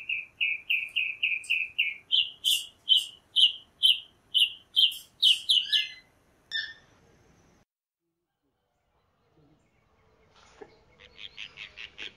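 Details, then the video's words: Chalk-browed mockingbird repeating a short clear note about seven times, then switching to higher sharp chips; the song stops after six seconds, followed by quiet and faint scratchy noise. "Calandria Grande Canto - Calandria Grande - Chalk-browed Mockingbird Bird Song - Mimus Saturninus"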